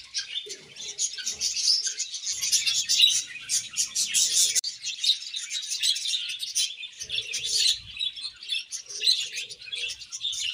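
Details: Happy budgies chattering nonstop: a thick mix of high, buzzy warbles and quick tweets from several birds, loud and steady throughout, with occasional soft low coo-like notes.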